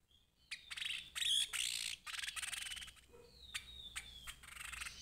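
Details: Grey-headed babbler singing actively: sharp chattering bursts and scratchy notes, then several thin, clear whistles sliding slowly downward, with quiet background noise.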